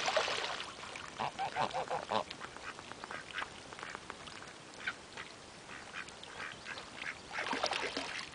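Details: Two domestic geese, likely Greylag-descended, give harsh, nasal honks and cackles in irregular bursts, calling over one another at breakfast time at Cowm Reservoir, Whitworth, near Rochdale, Lancashire, on 14 August 2009.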